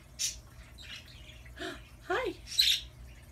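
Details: Talkative pet Amazon parrot producing speech-like vocal sounds. Several voiced, wavering syllables with falling and rising tones are mixed with sharp, high squeaks, and a person talks nearby.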